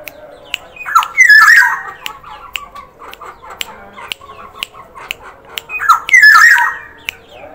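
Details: Black-naped oriole, Sumbawa type, in full active voice: two loud rasping squawks with a wavering, slurred note at their peak, separated by softer chatter and regular sharp clicks.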